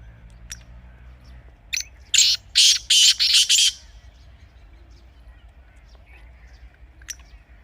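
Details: Partridge (teetar) call used to encourage kept partridges to call: a run of five harsh, loud, scratchy bursts packed into about two seconds mid-clip, with quiet background and a few faint ticks before and after.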